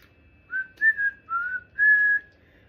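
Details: Pet cockatoo indoors whistling its happy little tune: four clear, pure whistled notes in quick succession, each slightly higher or lower than the last, the final note held longest, with a faint steady background hum.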